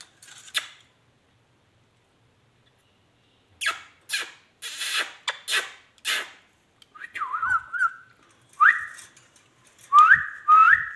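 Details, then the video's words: Ringneck parrot talking: scattered clicks and broadband tapping sounds at first, then a series of short speech-like whistled phrases with gliding, wavering tones, each phrase under a second long, in a quiet indoor setting. "amazing ringneck talking ringneck parrot"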